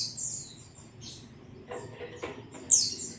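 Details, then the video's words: White-eye in the ngalas song style, a recording meant to provoke a kept bird into singing: a brief high twittering phrase, a pause with a few dull knocks, then a loud bright sweeping whistle. "zosterops bird sound"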